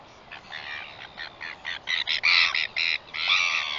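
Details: Northern royal albatross, 21 September 2021: short harsh squawking notes repeated in quickening series, growing louder, ending in a longer braying burst.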